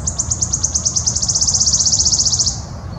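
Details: [['Wood warbler song: a loud, high, dry shivering trill of rapid ticking notes, speeding up and then ending abruptly after about two and a half seconds, with faint low background noise.']]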